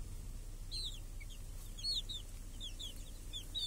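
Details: Hens and small chicks in a village, grazing under a cage that guards them from crows and hawks on a clear summer day; scattered high, curved chick peeps in short bursts over low rumbling background noise.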